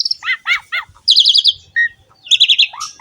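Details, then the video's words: Short burst from an Asian pied starling: three separate stacked chirps, then a fast rattled series of high notes, a brief whistle and another quick trill, over a quiet background. "MASTERAN BURUNG JALAK SUREN SUPER GACOR PALING DICARI"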